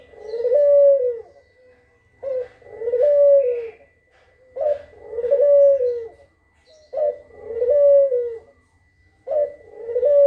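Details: Kugeruk, recorded for use as a lure: five rhythmic phrases of a short clipped note followed by a smooth drawn-out coo, spaced about every two and a half seconds.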